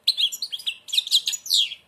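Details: Short, rich phrase from a blind European goldfinch singing through an almost closed beak: rapid liquid twitters and buzzy trills in two quick bursts, ending on a downslurred whistle.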